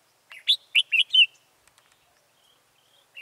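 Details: Caged red-whiskered bulbul used as a decoy to lure a wild bird into a trap, Vietnam, 14 October 2018: a quick burst of four loud chirpy whistled notes, then near silence with faint distant notes.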